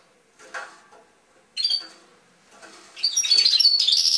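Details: European goldfinch in a cage: scattered soft chirps and short calls, building near the end into a loud, rapid high twitter.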